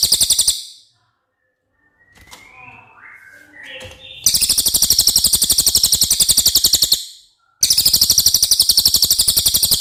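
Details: Cililin song used to tutor contest birds: a trill fragment, soft rising whistled notes in a pause, then a long shrill pulsed trill at roughly four notes a second, a brief break, and the trill again.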